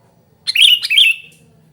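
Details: A Sooty-headed bulbul, noisily calling for luring and training other bulbuls, gives a quick harsh two-part chirp, each part bright and slightly buzzy, lasting under a second.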